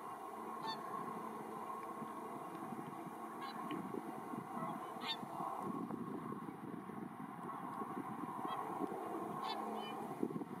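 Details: Whooper and Tundra swans, a flock of roughly 100 feeding on fallen rice in a paddy at Iwanuma, Miyagi, Japan, December 4, 2023; scattered honks every few seconds stand out above the continuous low hum of a circling helicopter.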